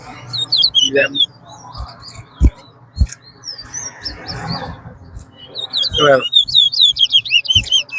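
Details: Chestnut-bellied seed finch (twa-twa) singing in a bird race at Rosehall, Guyana, with two birds matched. Short bursts of high, warbled, looping whistles open and close the clip, separated by crowd chatter, thumps and low background noise.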